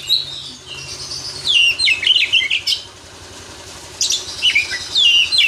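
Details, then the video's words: White-rumped shama, a champion bird let loose, delivering fast varied phrases of high whistles, trills and sweeping notes in two bursts separated by a short pause; a low engine hum runs underneath. "Burung Kacer juara di umbar"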